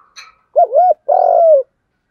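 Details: Spotted dove, male and female birds, cooing in the 'giọng Đồng' urging style used to spur young males into song: a brief high chirp, then two low, hoarse coo notes, the second longer and steady.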